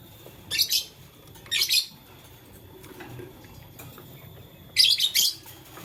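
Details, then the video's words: In the morning a lovebird coloured blue, lutino and green, busy with a flower, gives three bursts of grating, buzzy high chirps, two close together early and a longer double burst toward the end. "LoveBird Playing Flower - Chirping Sound"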